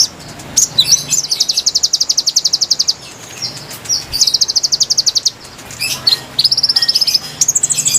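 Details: Konin bird lure song: shrill chips lead into two long rattling trills of rapid identical notes, followed by a rising, even higher trill at the close, over quiet background.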